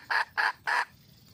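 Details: Three loud, harsh clucks from a wild red junglefowl hen calling for a mate, the last slightly longer than the first two, then near silence.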